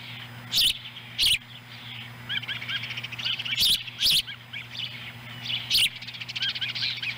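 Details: At a Montana osprey nest on July 18, 2017, a chick eats a whole small fish brought by its mother. Thin high whistled chirps come in loose runs, broken by sharp clicking bursts over a constant low electrical hum.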